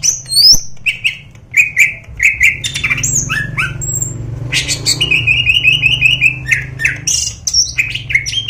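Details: Greater green leafbird (cucak ijo) from Medan, a national contest champion, singing a harsh, insistent varied song. Squawks and chirps are followed by a long run of rapid repeated buzzy notes, over a steady low hum.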